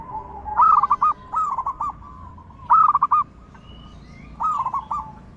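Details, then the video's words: Zebra dove singing to stimulate other doves to sing: four mellow, rolling cooing phrases, each a rising note and then quick bubbling pulses, spaced about one to two seconds apart over a steady low hum. "Pancingan Perkutut Gacorrr dorrr- Solusi Macet Bunyi Variasi suara besar, bekur, kristal"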